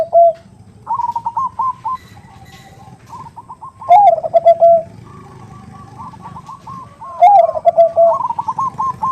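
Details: Zebra dove (perkutut) lure call with a big 'khung' voice, a female calling the male, 'nutut' style. Loud low rolling coo phrases roughly every three seconds, with quieter higher staccato notes filling the gaps.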